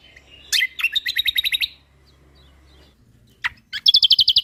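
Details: White-eye from Lombok in full, lively song for training other songbirds. A burst of scratchy notes runs into a fast, steady trill of high chips. After a quiet gap, a sharp note leads into another quick high rattle.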